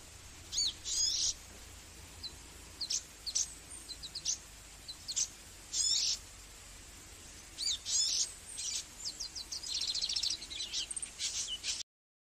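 Magnificent sunbird giving very high, thin, sharp chips and short twittering bursts in irregular clusters every second or two, over a faint steady background hiss.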